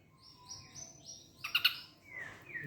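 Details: Ashy drongo mimicking a kingfisher, recorded in the morning of 23 September 2025: a run of high, clear whistled notes, a harsh rasping burst, then a long falling whistle.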